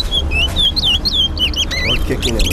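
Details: Whistling competition between two towa towa birds at a Linden, Guyana bird club: a clear chestnut-bellied seed finch phrase of looping whistles, some rising and some falling, growing quicker and more warbled toward the end, over low crowd rumble.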